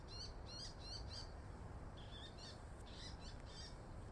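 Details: Wild Daurian redstart, a winter visitor newly arrived in a park at Kyuhoji Ryokuchi, Japan, still wary of people; a series of short high chattering notes in several groups, over a steady low rumble of background noise.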